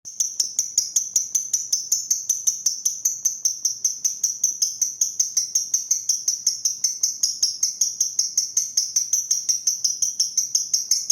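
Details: Pastel green lovebird in 'ngetik' ticking style: a long, steady series of sharp, high, dry ticks, about three each second, running evenly for over ten seconds without a break.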